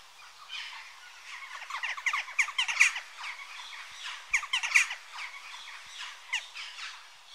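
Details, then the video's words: Western jackdaws chatter with short, metallic, squeaky chak calls. The sound is quieter at first, then builds into loud clustered bursts around the second to third and fourth to fifth seconds before easing off again. "Jackdaw Bird Call Bird Song"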